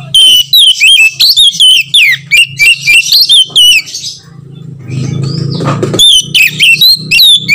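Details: Calls of an Oriental magpie-robin, played to provoke other magpie-robins into song: fast strings of bright whistles and twittering notes, a short pause filled with low rumbling noise, then more whistled phrases.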